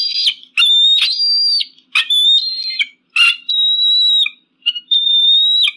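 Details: Eagle screaming almost continuously: shrill, piercing squeals with harsh broken onsets, repeated about every second.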